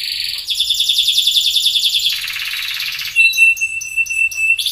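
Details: Loper-style song from a predominantly orange sunkist canary used as a tutor or lure: fast high rattling trills shift into a lower rolling warble, then evenly spaced sharp whistled notes, ending in a bright trill.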